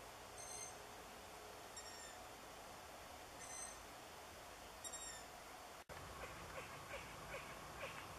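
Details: Young long-eared owls call from a small pine wood under a full moon on 13 June 2014, giving thin, high, squeaky calls about every one and a half seconds, with faint hiss and soft rustling near the end.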